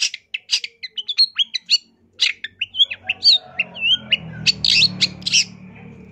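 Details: Long-tailed shrike in lively song rich with fill-in phrases. Quick series of sharp chips and looping, warbled whistles, followed by harsh rasping notes over a rising low rumble.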